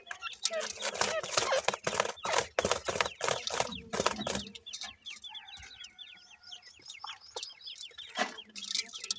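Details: Grey francolin young under parental care; loud, rapid scratching and rustling bursts fill the first half, then steady high, down-slurred peeps follow, repeated about three per second.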